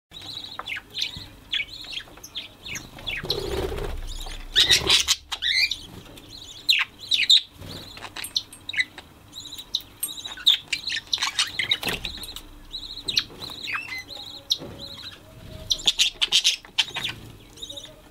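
Budgerigars chatter with quick, high chirps and squeaky warbles that tumble over one another.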